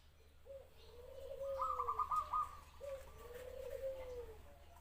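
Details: Zebra dove song with two long, low, gently wavering coos, the first overlaid by a quick run of clipped higher notes, over quiet room-like background noise.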